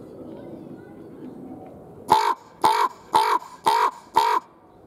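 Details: Kolkrabe (common raven) held at Schönbrunn Zoo, February 2020, recorded with a Panasonic camcorder: five evenly spaced, harsh, croaking calls about half a second apart, following a few seconds of low murmuring background.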